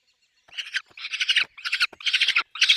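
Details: Harsh rasping cries from a peregrine falcon nest with chicks begin after a brief silence and follow one another in five grating bursts, each longer than half a second.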